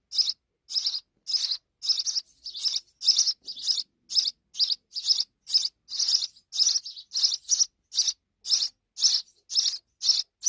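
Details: Sparrow babies with their mother give a steady stream of sharp, high chirps, roughly two each second, slightly irregular and sometimes doubled, with no other clear sounds.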